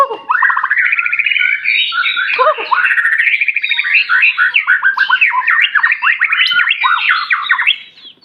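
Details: White-rumped shama from Aceh in continuous energetic mimicry song: loud, rapid rattling and chattering notes strung together for about eight seconds, with quick up-and-down slurs throughout.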